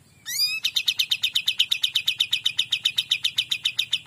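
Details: Kapas tembak bird singing vigorously in a clear, loud voice: a quick rising chirp opens a fast, even run of high sharp notes, about three per second, continuing without a break.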